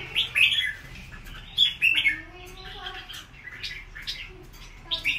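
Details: Wild-caught adult red-whiskered bulbul in a cage, competing with a rival and displaying stiffly; loud bursts of bright whistled and chirped phrases with short gaps between them, plus some softer, lower warbling notes.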